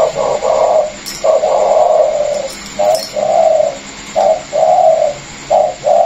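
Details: Pair of caged Vietnamese spotted doves, a former calling decoy and a newly caught wild bird; loud, nearly continuous cooing in repeated drawn-out low notes with short gaps, over a steady background hum.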